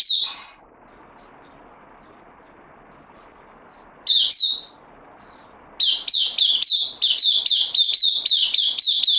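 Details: Bulbul newly brought in on loan and kept caged, 12 September 2020. An isolated chirp, a long quiet gap, another short call, then a fast, insistent series of sharp chirping notes.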